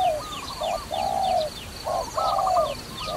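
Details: Low, smooth coos from a dove used in trapping, a brief note then a long sustained one, repeated twice, with a higher quavering call layered above and faint high ticking chirps.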